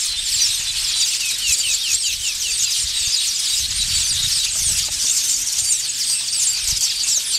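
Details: Village weavers in a busy nest-building colony in Africa, males displaying frantically to attract females, make a dense, steady wash of high, buzzy, sizzling chatter and scratchy notes from many birds at once, with faint low rumbles beneath.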